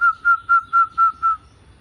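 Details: A short zebra dove (perkutut) phrase: six round, whistled coos on a single steady pitch, repeated about every quarter second, then fading out.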